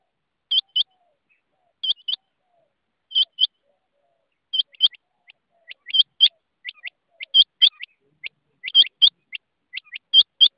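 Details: Rain quail delivering spaced double notes that build into a quicker, denser sequence of sharp high pairs and singles over about ten seconds, with a clean, quiet background.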